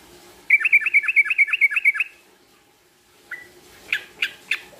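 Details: A male sooty-headed bulbul calling out to a rival delivers a quick run of about nine evenly spaced bubbly notes, then a pause and a few scattered chirps over faint background hum.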